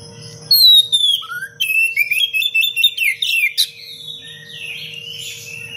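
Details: Oriental magpie-robin giving a rapid, tightly packed song meant to train other birds: a falling whistle, then a rising note, then a run of quick bright warbled chirps and sweeps, with a constant faint hum underneath.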